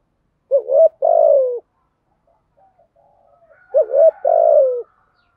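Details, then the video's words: Vietnamese spotted dove, 'giọng thổ' deep voice, cooing in the structured 'gù thúc' style to provoke wild doves. Two low phrases of a short double coo and a longer falling coo, soft murmurs between. "chim cu gáy giọng thổ bài bản thúc gù, chim cu gáy đất bài bản gù thúc, chim cu gáy kích bổi"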